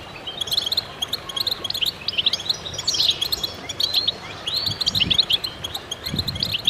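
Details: Goldfinch chorus in concert to stimulate birds, full of high jingling chirps, buzzy trills and twitters overlapping steadily, with a few faint low knocks in the background.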